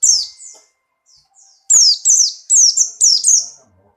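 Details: Buxtoni white-eye in full breeding condition, kept caged, jumping and singing: a few soft thin notes, a pause, then a loud run of six sharp, falling, high whistled notes in quick succession.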